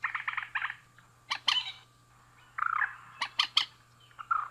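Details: Male and female mandar, a rail, trading calls: a rapid run of short nasal notes, then scattered harsh squawks and clucks with brief pauses, a constant low hum underneath.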